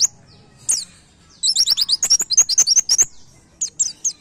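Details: White-eye (pleci) master song, 'nembak' style, used to train caged birds: two lone high chirps, then a fast, dense string of thin, slurred twitters, followed by a few spaced single notes.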